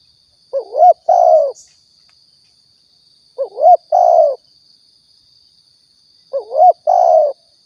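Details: Spotted dove calling, from a lure recording for trapping and hunting in Riau, Indonesia: three well-spaced double coos about three seconds apart, each a wavy rising note followed by a longer descending croo; a thin steady whine underneath.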